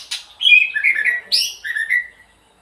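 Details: White-rumped shama singing at dawn: loud, varied whistled phrases with slurred falling and rising notes, a sharp high burst midway, ending in clear descending whistles.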